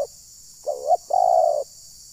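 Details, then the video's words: Zebra dove decoy call used by bird trappers in Desa Satu, Ujung Batu, Rokan Hulu, to provoke wild birds: short soft coo followed by a longer, steady, purring coo, clean with no other sounds. "Burung Liar Terlalu Emosi Dengar Bunyi Pikat ini"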